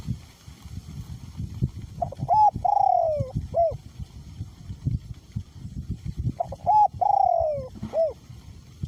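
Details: Spotted dove decoy bird cooing in strong wind, small-to-middle voice style; two phrases of short coos, a long descending coo and a clipped final note, heard over a constant loud low wind rumble.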